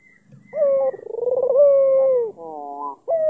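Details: An albino, black-collared Barbary dove coos to provoke an opponent: a long pulsing coo that swells and falls gently, then a cluster of short clipped notes and the start of another coo.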